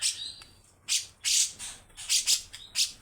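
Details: Sparse, rough 'besetan' notes from a grey-cheeked bulbul: a few short, loud, hissing rasps spaced by pauses, with a faint thin whistle between them.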